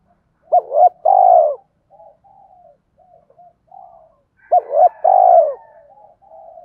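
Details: Spotted dove cooing to stimulate other doves: two phrases, each a quick double note rising into a long, purring, downward-sliding coo, with faint low murmurs between.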